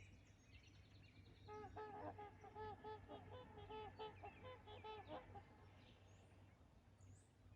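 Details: Trumpeter swans taking off at Rifle Lake on April 28, 2020: a dense chorus of overlapping nasal, trumpet-like honks with rich harmonics, many birds calling together for about three seconds, then fading, over a steady low hum.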